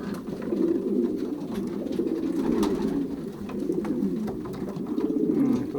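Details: Young racing pigeons pairing inside their loft, 2023 season, Pruszków section, Poland; many birds coo together in swelling, rolling waves, with occasional clicks and shuffling.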